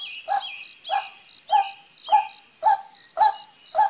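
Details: Female white-breasted waterhen giving a harsh, clipped call note repeated about every half second, seven notes in all, with faint downslurred high whistles and a steady high-pitched hiss in the background.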